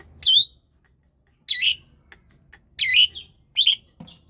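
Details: Asian pied starling singing to stimulate sluggish birds to sing: four separate bursts of harsh, squeaky chatter spaced over a second apart, with quiet intervals between.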